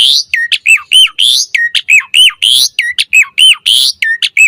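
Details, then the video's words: Mompa style song of an Asian pied starling, a recording used as a master and lure for starlings. Steady stream of bent, squawky whistles and rising buzzy notes repeating in a loose cycle. "Suara Jalak Suren Mompa Variasi AMPUH Buat Masteran & Pancingan Burung Jalak Agar Full Gacor Isian"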